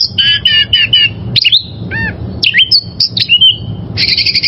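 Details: Wild oriental magpie-robin song used to train caged birds: rapid repeated trilled notes, sharp upswept whistles and slurs, one lower arched note midway, ending in a dense buzzy trill.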